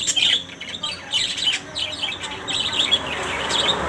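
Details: Multicoloured lories chattering: rapid, piercing squeaks and short rising and falling chirps packed closely together, continuing almost without pause throughout.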